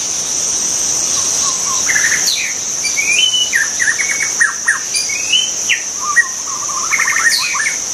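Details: White-rumped shama singing in the wild: varied clear whistled phrases, slurred rising and falling notes mixed with quick rattling trills, delivered in bursts over a steady high-pitched insect drone.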